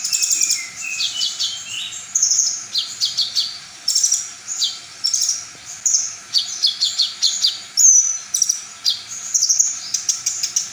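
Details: High-pitched full-repertoire song of a brown-throated sunbird, meant to make other sunbirds emotional and sing back. It has quick tweeting notes, buzzy trills and sharp whistles repeated in rhythmic bursts, with brief gaps between phrases.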